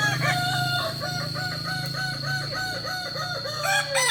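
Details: Kukuak Balenggek rooster, ornamental chicken native to Solok, West Sumatra, at a practice contest. A fast, evenly spaced chain of about a dozen arched crow syllables descends in steps, with other crows and a low rumble behind.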